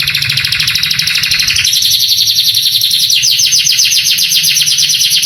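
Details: Male canary's tutor song, used to rouse young canaries into answering: a dense, buzzy high trill, then a quicker run of repeated sharp chirps.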